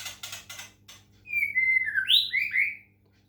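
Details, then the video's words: White-rumped shama from Medan, Indonesia, kept caged and treated with water sounds to encourage song; rapid rattling notes lead into a phrase of smooth, sliding whistles with a rising, upswept flourish. "murai batu medan, terapi suara air lansung gacor"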